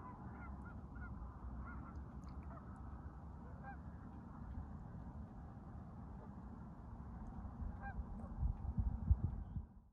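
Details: Canada geese at sunrise over Lake Estes, Colorado, 6:30 am at about 66°F with smoky haze, giving their young flying lessons: distant scattered honks repeat irregularly over a steady low rumble.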